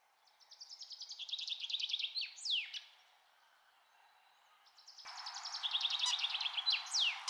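Buff-winged starfrontlet giving rapid, high, twittering chip notes in two bursts, each ending in a sharp descending squeak; a hiss of background noise joins midway.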